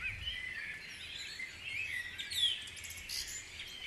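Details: Birds in the Guisborough dawn chorus, several voices at once giving sweet whistled notes and quick high twitters, with a faint background hum beneath the steady mix of song.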